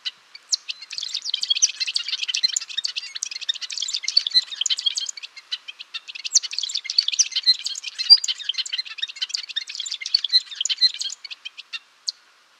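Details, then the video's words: Golden-rumped euphonia delivering two long bursts of hurried, high twittering song, each around five seconds, packed with scratchy chips and tinkling notes. A short pause separates the bursts, and a final isolated note follows. "Canto do Gaturamo Rei / Gaturamo de Cabeça Azul | Golden-rumped Euphonia | Euphonia Cyanocephala"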